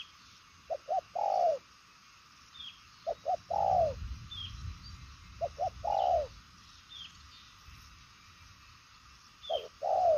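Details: Spotted dove, purple-legged 'đồng son' variety, in fast 'nước xa' cooing. Quick double short notes run into a longer falling coo, repeated four times with pauses. Soft high chirps scattered behind.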